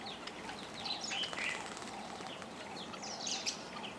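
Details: A flock of Fischer's lovebirds, many of them hybrids with yellow-collared lovebirds, visiting a feeder at a lodge by Lake Elementaita, Kenya. Overlapping high, sharp chirps and squeaks come in quick bursts, with steady background hiss.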